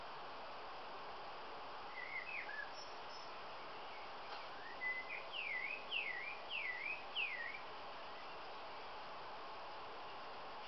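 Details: Male common blackbird singing: a run of clear whistled notes, each swooping down then up, repeated quickly in a loose series, with a few earlier fluty phrases over a steady background hiss.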